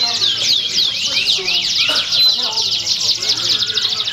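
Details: Competition canary at a Pringsewu, Indonesia song contest, September 2019. It pours out a dense, continuous run of high twittering notes and fast repeated sweeps, with murmuring people beneath.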